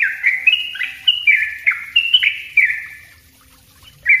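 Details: Yellow-vented bulbul singing its dense 'ropel' song for luring and tutoring: quick chain of bright, slurred whistled notes bouncing between higher and lower pitches for three seconds, a short quiet gap, then one more note.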